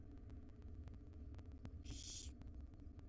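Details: One wild barn owl chick of a brood of five hisses once, a harsh noisy burst near the end, while the mother feeds them breakfast in a nest box; low hum and scattered clicks fill the rest.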